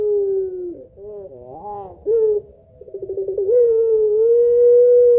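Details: Puter pelung Barbary dove lure call with a long voice and two-note kuwok: deep drawn-out coos, wavering notes, a rapid stuttering roll, then a long steady sustained coo.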